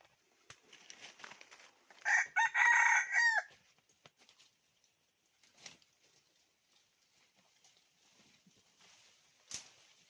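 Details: A single drawn-out rooster crow from a decoy red junglefowl used to call in wild birds in 2021, mid-clip amid scattered clicks and rustling, with a sharp knock near the end.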